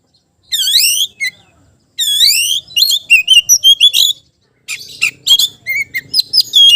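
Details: Magpie-robin calling out a rival, singing loud, varied phrases: two sweeping whistled notes rising and falling, then a quick series of sharp chips and short whistles, a pause, and more bright, scratchy notes.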